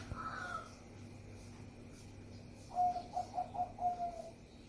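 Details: Zebra dove of the Bangkok type used as a lure song to draw other doves into singing: after a brief opening note, a run of five soft, rounded cooing notes, evenly spaced about a quarter second apart, over a quiet background.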